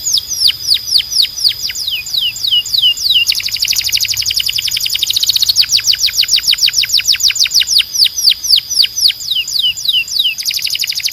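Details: Canary delivering long, loud song of rapid downslurred whistles repeated several times per second, with dense trilled passages in between.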